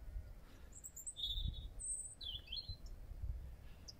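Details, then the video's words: Bird singing from the top of a tree on a quiet March evening at sunset near Newgrange, Ireland; short high twittering phrases with pauses between them over faint low background rumble. "type of bird that is in the top of that tree singing his or her little heart out."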